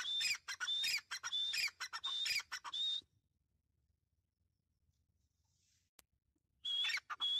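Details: A female Grey francolin calls in loud, harsh, high-pitched bursts, each ending in a shrill whistled note, repeated rapidly for three seconds, then silence before another burst.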